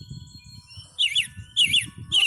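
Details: American robin, a common neighborhood bird that forages for worms on lawns, sings three quick caroling phrases of slurred, liquid whistles, rising and falling, over a faint low rumble and a thin steady hum.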